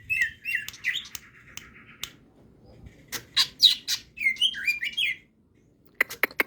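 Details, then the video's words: Greater green leafbird singing steadily with its crest raised. A varied run of clear high whistles and chirps, some sliding down, broken by sharp clicks and a brief pause before a final burst of snapping notes. "cucak hijau gacor ngejambul,ngetrok"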